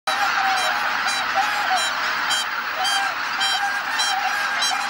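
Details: A large flock of greater white-fronted and bean geese returning to Kabukuri-numa marsh at dusk after sunset, in constant overlapping chorus of nasal, high-pitched honks and yelps.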